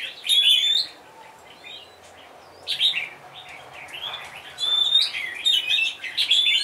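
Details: Bulbul of the red-whiskered kind, serving as a decoy bird, singing loud whistled phrases with sharp high accents, a quieter pause in the middle, then renewed bright warbling.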